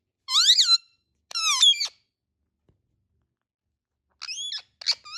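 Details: Indian ringneck parakeet giving paired harsh screeches, then a long pause, then further short squawks with steep rising and falling inflections in a quiet room.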